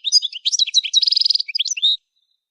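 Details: Goldfinch song used for song training: a rapid twittering run of high, bright chirps and short trills for about two seconds, with a buzzy rattling middle section and a clear ending note.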